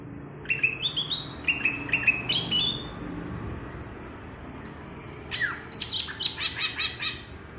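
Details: Green leafbird from Alas Purwo, Banyuwangi, singing the bebeci style: short bright phrases of high chirps and sharp notes in two bursts, the second a fast run of stacked ticking notes, over soft low background hum.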